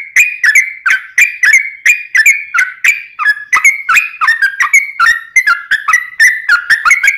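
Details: Yellow-vented bulbul singing nonstop in ropelan style, a long song for training birds and attracting wild ones. Fast, bubbling whistled notes, about three per second, wobble up and down in a lively chatter.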